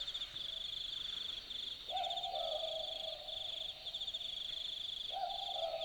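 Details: Australian Boobook (Ninox boobook) at night in the Australian bush at Dharug. It gives one full low two-note 'boo-book' call, then begins another about three seconds later. The calls ring out over a dense, pulsing chorus of night insects.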